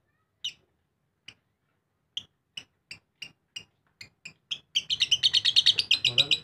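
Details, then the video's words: Lovebird starts with sparse single sharp clicking notes spaced about half a second apart, then breaks into a dense, fast, shrill chattering ngekek run. "Lovebird RAJA ngekek istimewa"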